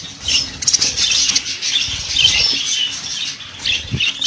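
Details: Budgerigars giving scattered scratchy squawks and short chirps, less dense than a full chorus, with a few soft low knocks in the background.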